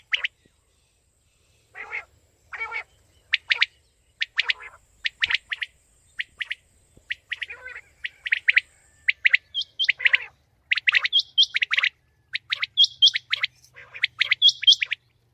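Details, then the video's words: Calls of a female common quail: quick clipped chirps, often in twos or threes, coming steadily and thickening toward the end, over a quiet background. "Batair Ki Awaz| FEMALE QUAIL SOUNDS 2020"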